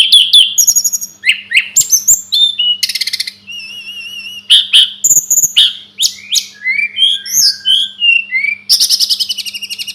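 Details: Sunda robin tutor recording: quick bursts of high chirps and buzzy trills alternate with clear wavering whistles and sweet slurred notes, varied phrases following one another continuously, a faint constant low hum beneath.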